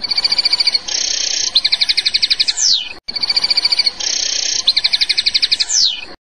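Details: European goldfinch singing its passades song style: bright repeated tonal notes, a buzzy burst, then a rapid ticking trill ending in a descending slur, the same phrase given twice.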